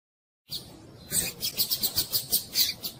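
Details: A female double-collared seedeater calls repeatedly to excite a male to sing. After a faint start comes a rapid run of sharp, high chirps, roughly five per second, evenly paced, with soft background hiss.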